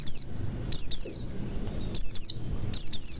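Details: Lively white-eye whistling meant to get other birds singing: bursts of two or three high descending notes in rapid succession, recurring about once a second.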